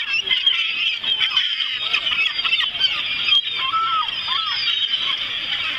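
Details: Greedy seagulls at Ouistreham, a dense flock giving overlapping harsh, wailing and squealing calls, some with short rising and falling notes, with a constant high hiss of many birds calling together.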